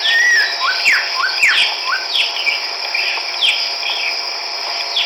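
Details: Chestnut-backed laughingthrush recorded on 17 March 2010 in Hukaung Valley wildlife sanctuary, Kachin State, Myanmar; a series of short rising and falling whistled notes in quick succession over a steady high insect drone.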